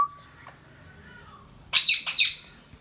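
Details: Indian ringneck parakeet kept as a pet, giving faint wavering whistled tones followed by two loud, harsh, high screeches close together.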